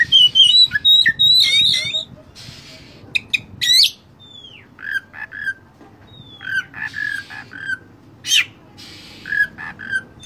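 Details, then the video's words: Oriental magpie-robin (kacer) tutoring song to provoke caged birds: a busy opening of warbles and sharp clicks, then gliding whistles, hissy bursts and scattered short notes, fairly fast and irregular. "masteran Kacer full isian mewah"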